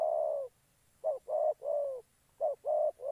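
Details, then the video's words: Decoy spotted dove calling during trapping in Gia Lai, Vietnam: low hollow coos in a pattern of one short and two longer notes, repeated steadily, clear against a quiet background. "Bẩy chim cu gáy"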